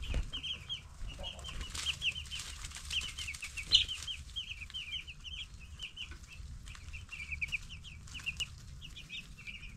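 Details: Baby broiler chickens aged ten days peep in a near-steady stream of high, slightly slurred notes, several birds overlapping, with a few knocks and rustles in the background.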